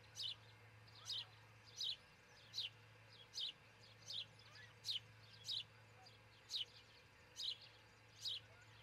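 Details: From a nest camera at dawn on 22 June 2018, osprey nest, Charlo, Montana: eleven piercing, quickly falling chirps in about nine seconds, fairly regular, with a steady low hum in the background.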